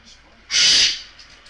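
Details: A single loud, harsh screech lasting about half a second from a pet Goffin's cockatoo during play.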